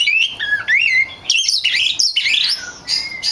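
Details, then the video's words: Lure song of an Oriental magpie-robin, meant to make other magpie-robins respond: a continuous run of bright whistled notes sweeping up and down, mixed with high twitters, in loud, quick phrases without long pauses. "SUARA P4NCINGAN KACER BAHAN"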